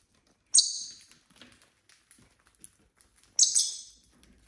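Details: Pet lovebirds, six kept together indoors, giving two loud, shrill, harsh shrieks about three seconds apart, with soft rustling and tapping between them.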